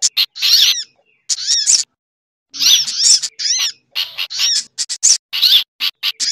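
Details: Lure sound for attracting birds, a sunbird mix combined with bulbul chattering and similar species; high, piercing chirp bursts and downslurred arcs, broken by two clear silent pauses.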